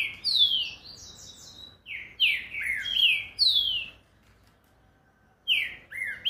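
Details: A green-winged saltator sings a notably fast song of loud, rich whistled phrases in quick runs of slurred notes, three bursts with a short silent gap before the last.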